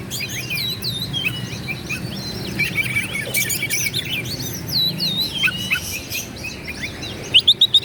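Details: Lively Oriental magpie-robin singing to goad rivals into fighting. Rapid, varied whistled notes and sharp chirps, many swooping down or up, come in bursts, ending with a short series of loud, clipped notes over faint background hum.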